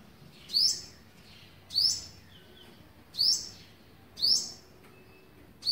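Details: Olive-backed sunbird feeding its young on day 11 of feeding, 27 November 2019, gives five sharp, very high, thin downward-sweeping notes spaced about one to one and a half seconds apart over a quiet background.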